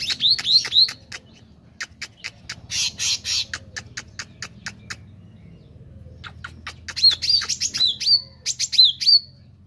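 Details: A meranti bird sings actively: quick clear upslurred whistles in short bursts of three, mixed with dry ticking clicks and a brief buzzy rasp, then more whistled phrases near the end.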